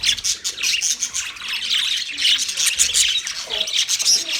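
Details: Australian budgerigars in full chorus, a steady wash of shrill chirps and scratchy squawks from several birds at once, without pause.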